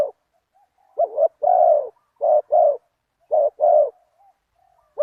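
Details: Spotted dove used in a decoy session that follows a target wild bird, a big-voiced one-kuk singer. It gives low, mellow coos in phrases: a short clipped double note and then a longer, fuller hooting note. The phrases repeat with brief silent gaps.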